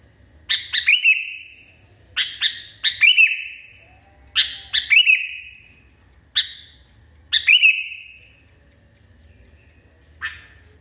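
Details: Agitated Sooty-headed Bulbul repeating a loud phrase roughly every one to one and a half seconds: a rapid cluster of sharp chirps ending in a drawn-out, gently falling whistled tail. Six phrases in all.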